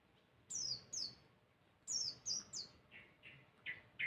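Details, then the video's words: Masteran bird song for drawing replies: a few very high, bright descending whistles in twos and threes, followed by softer, lower chirps toward the end; quiet surroundings. "Burung masteran super heboh yang lain pasti nyaut"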